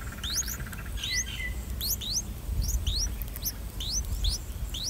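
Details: Three-day-old streak-eared bulbul chicks begging as parents feed them in a nest in a water jasmine tree by a house: repeated thin upslurred chirps, often in pairs, with one short lower note early, over low background noise.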